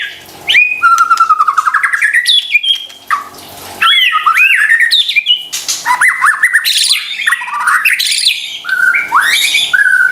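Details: Lure of white-rumped shama song for coaxing stressed or lazy singers: loud varied whistles, rolling warbles and upward sweeps delivered in long rich phrases, with a brief pause near the start.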